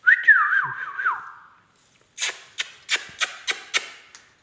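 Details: Indian ringneck parakeet, a talking pet parrot, giving a bright, wavering whistled phrase that rises and falls, followed by a run of sharp clicking or tapping knocks about four per second in a small room.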